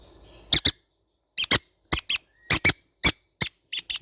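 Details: Baby green-cheeked conures calling: short, harsh, high squeaky notes, mostly single or paired, repeated at irregular intervals about every half second, with quiet gaps between and a faint hiss at the start.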